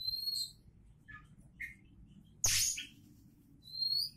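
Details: Singing Oriental magpie-robin, promoted as a future champion: high thin whistles, a few soft mid notes, then a sudden loud harsh rasping burst, ending with another pure high whistled phrase; faint low background hum throughout.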